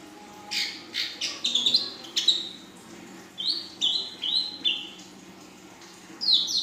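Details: Juvenile female ashy drongo in full song: rapid harsh chirps and clicks, then a series of clear high whistled notes, each rising slightly, repeated with short gaps.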